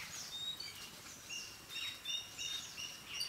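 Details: Yellow-billed babblers fighting in Sri Lanka: squeaky, high chirps and harsh chatters, several overlapping at an uneven, rapid pace, over a steady hiss of background noise.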